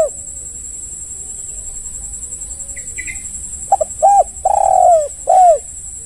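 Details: Spotted dove lure call to draw responses from other doves. A brief high chirp precedes a single coo phrase near the end: short notes, a drawn-out burry descending croo and a falling final coo, over a continuous high whine.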